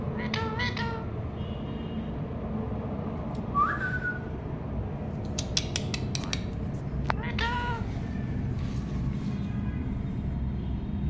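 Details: A pet parakeet that has learned words gives a few short, speech-like squawked syllables and one clear rising whistle, with sharp clicks over a steady low background rumble.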